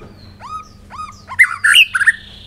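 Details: First-year white-rumped shama gives two clear rising-then-falling whistles about half a second apart, followed by a louder burst of harsh, rich chattering notes over a faint steady low hum.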